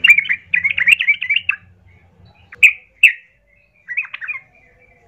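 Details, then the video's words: Sooty-headed bulbul lure song to make other birds answer and fight: an opening rush of rapid bubbly chatter over a low hum, then separate clear liquid notes, a short warbled phrase and a final note. "Pasti Nyaut ikut Tarung trucukan bermantal Berani mendengar pancingan trucukan gacor plong ini"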